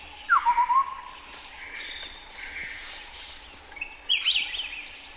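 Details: Chestnut-headed partridge (Arborophila cambodiana) calling in Cambodian highland forest at Bokor National Park: a descending note then quick stuttering notes, later a higher twisting phrase, amid faint background birdsong.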